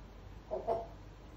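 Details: A pet African grey parrot (Psittacus erithacus) learning to talk gives a brief, mid-pitched, slightly hoarse two-syllable word, under half a second long, in a quiet indoor room while the Portuguese words "Coco" and "esposa" are repeated to it.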